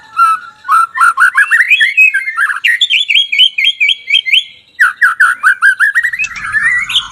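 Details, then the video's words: Loud, energetic murai batu song: long rapid strings of rolling whistled notes, steadily climbing, then a fast repeated pattern of jerky slurs, followed by another rising rolling series. "kumpulan kicau MURAI BATU gacor"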